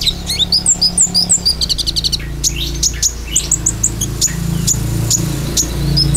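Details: Olive-backed sunbird song in the 'tembakan' style, played as a lure: bursts of very fast high trills give way to scattered sharp upslurred notes, over a steady low hum.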